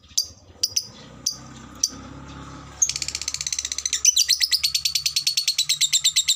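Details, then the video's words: Lovebird kept as a fighter bird: a few sharp high chirps, then a fast chatter of rapid, evenly repeated high notes that speeds up and grows louder toward the end. "SUARA BURUNG LOVEBRID TERCEPAT, bikin cepat respon ngekek"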